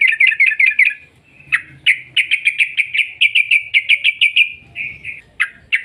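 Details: Sooty-headed bulbul singing the long 'ropel' rapid-trill style, intended as a lure to set other bulbuls singing: quick chirps, a pause, then a steady series of about fifteen loud, clipped notes.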